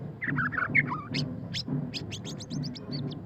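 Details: White-rumped shama (murai batu pastol) singing in the ngeriwik style: quick varied whistles and sharp rising and falling notes, ending in a rapid run of short high chips, over a steady low rhythmic thumping in the background.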